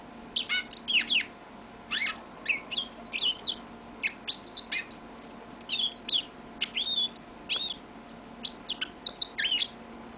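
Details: Caged yellow-fronted canary singing at length: sharp chirps and swooping whistles repeated in irregular bursts roughly every half second.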